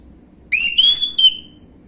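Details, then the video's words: Lure song of a young orange-headed thrush in gamblingan style: a ringing whistle climbs quickly, sustains high for about half a second, and closes with a separate descending whistle over quiet background. "PANCINGAN ANIS MERAH BAHAN/GAMBLINGAN | Gak Pake Lama Langsung Ngrespon Bunyi"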